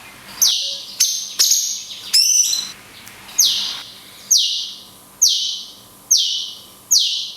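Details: Cungkok song in the "tembakan kunti panjang" style, with natural pauses, used to train songbirds: loud, bright high notes that slide downward, repeated about once a second after a few varied opening notes.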